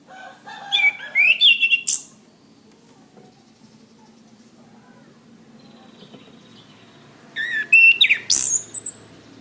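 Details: Master song of an orange-headed thrush, meant to teach cage birds: two separate bursts of fast whistled and twittering notes with high slurs, about six seconds apart, with near-silence between them.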